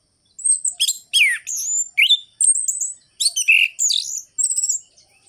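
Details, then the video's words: Orange-headed thrush in full song, meant to rekindle singing in listless thrushes, especially in the morning: varied swooping whistles, slurred downward notes and sharp chips, delivered in energetic rhythmic phrases. "ANIS MERAH GACOR ABIS untuk pancingan bunyi burung anis merah yang loyo"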